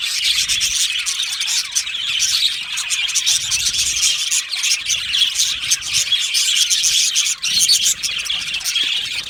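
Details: Many budgies in an aviary colony chattering continuously, a busy hiss-like mass of high twitters and chirps with short sharper accents.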